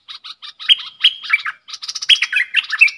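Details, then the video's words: Caged bulbul trading song with wild birds, 3 October 2021: short chips build into loud, clear whistled phrases that drop in pitch, repeated twice with busy chatter between them. "เสียงนกกรงดอกแตงEp.82 ดวลเพลงกับนกป่า!!Birds sounds"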